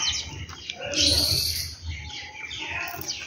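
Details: High, hissing twitters and chirps from birds around a home in the morning, a continuous bright chatter with a steady low rumble behind it.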